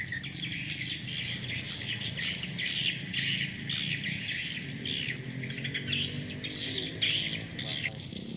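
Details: Swiftlet flock calling, used to attract the birds back to a nesting house: steady, crowded high-pitched chattering of rapid buzzy chirps without pause, over a soft low rumble.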